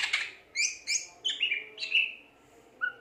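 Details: Greater green leafbird singing gacor: a few bright chirps and clear whistled notes separated by short pauses, ending in a low whistle.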